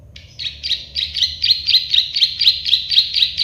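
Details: Rapid clicking song of a plain prinia (prenjak sawah): a short lead-in note, then about four harsh buzzy clicks per second, loud and regular, with faint low hum.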